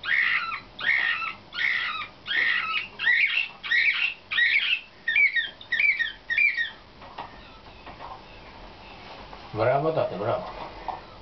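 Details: Slavujar-type canary chosen for competition, heard in training: a series of loud repeated syllables about twice a second, then quicker fluttering notes, fading to quiet before a lower warbled phrase near the end.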